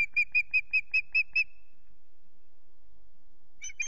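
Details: Female osprey, unringed, at Loch Garten, calling for her missing mate; seven sharp, piercing whistled chips in quick succession, then two seconds of quiet before two more notes begin.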